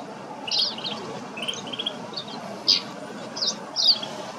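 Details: Snow bunting in Kananaskis, Alberta, Canada: short buzzy and rippling high calls, some as quick trills, given in scattered bursts over steady background hiss.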